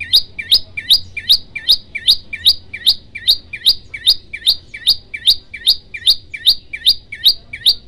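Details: Bar-winged prinia in the 'tembakan' style, recorded as training material for other birds: a steady, unbroken string of sharp upswept chirps, about two and a half per second, evenly spaced throughout.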